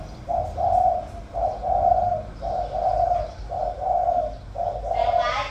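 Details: Spotted dove decoy bird with a 'giọng thổ' voice, praised for good cooing, gives five steady two-part coos, a brief lead note then a drawn-out mellow hum, with a short rustle near the end.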